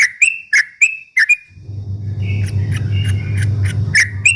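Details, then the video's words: Bulbul ropel song used to goad rival birds: crisp repeated chirps, then a fainter run of whistled notes under a rising low rumbling background. "kicau suara trucuk ropel memancing emosi lawan"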